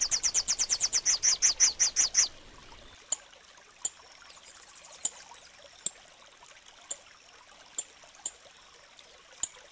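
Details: Rufous-capped warbler song: a fast, even burst of about a dozen sharp, high chipping notes lasting two seconds. Then come scattered single clicks and quiet.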